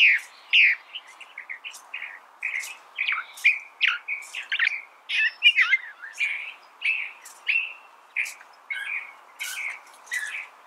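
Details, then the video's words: Long, rambling California thrasher song of varied chirps, slurs and rough notes following one another rapidly, each phrase different, steady in loudness throughout. "California Thrasher Bird Sound"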